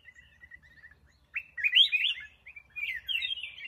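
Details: A kept black-crested bulbul gives soft repeated chips, then bursts into a loud, rich warbled phrase followed by a second fluttering, twittering run.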